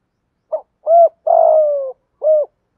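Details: Spotted dove used as a decoy, cooing in challenge to attract wild birds; one four-part phrase with a quick opening note, a rounded coo, a long sliding crooo and a final soft coo.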